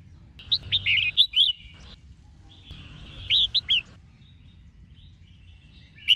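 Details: Female red-whiskered bulbul singing to stir up males: two bursts of bright warbled, slurred notes around mid-high pitch, each a quick run of five or six notes, separated by pauses, with faint low background hum.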